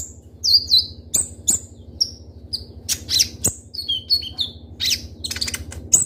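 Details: Kolibri ninja sunbird, a kept songbird singing vigorously with sharp 'tembakan' bursts: thin, high whistled notes and short slurred chirps, often falling, in quick scattered phrases, over a steady low electrical hum.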